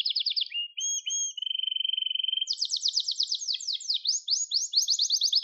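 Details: Gloster canary song: short warbled notes, a low even buzzing roll lasting about a second, then a lively run of rapid repeated and downward-swept syllables higher in pitch.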